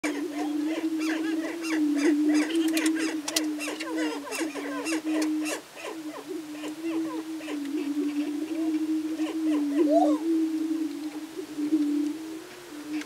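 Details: Greater prairie chickens in courtship display: a continuous low droning moan underlies a busy chorus of overlapping cackles, whoops and sharp clucks from several birds, rising and falling throughout.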